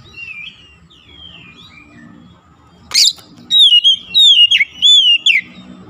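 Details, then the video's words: Kacer, the White-rumped shama, in a recording meant to make a silent bird sing: quiet distant whistles, a sharp click, then three strong clear whistled phrases with falling slurs. "terapi mengatasi Kacer macet bunyi langsung gacor"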